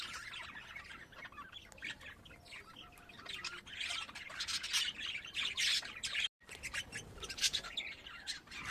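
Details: Pet budgerigars kept at home: busy, scratchy warbling chatter, several birds chirping and squawking over one another, rising in intensity midway, with a brief break.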